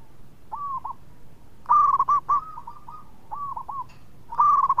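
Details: Indonesian local zebra dove singing steadily: soft, rounded cooing notes in short clusters, a brief pair, then a louder rapid rolling series and further quick coo groups, with a low murmur of background noise throughout.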